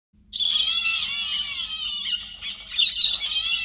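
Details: Héc xoan bird, edited recording cleaned of background noise, used to lure flocks: after a brief silence, one long, harsh, rasping squawk with rich buzzy overtones runs almost unbroken for over three seconds, wavering slightly near its end.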